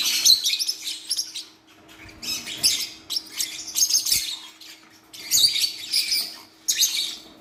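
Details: Baby Forpus parrot chicks, just hatched, uttering harsh, high, raspy squeals in separate surges roughly every one to two seconds, with quieter gaps in between.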